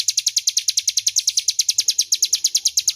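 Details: Crescent-chested warbler delivering a loud, clear ngebren trill for training magpie-robins: bright high staccato notes repeated about three times a second without a break, faint low hum in the background.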